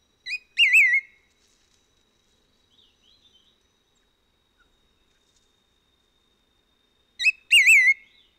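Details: White-whiskered laughingthrush, a Taiwan endemic, recorded on Hehuanshan. A short note leads into a loud, rounded, wavering whistle, and the pair comes twice about seven seconds apart with near silence between.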